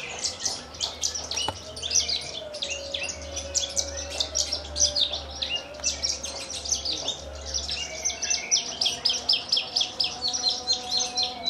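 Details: Javan bush lark, a captive bird native to Kulon Progo, Indonesia, singing in the Jambul style while quivering its wings after hovering. A dense, rapid stream of sharp, high, ticking and trilled notes. A faint low tone and hum sit underneath.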